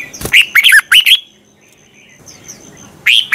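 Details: Red-whiskered bulbul in a morning song recording used to train bulbuls and spur them to sing; a quick run of four looping whistles, a second of near silence with faint distant chirps, then another note begins.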